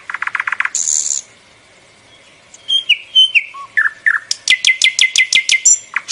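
A bulbul sings a varied phrase: a fast buzzy trill, a harsh hiss, slurred whistles, then a quick run of sharp, bright chirps.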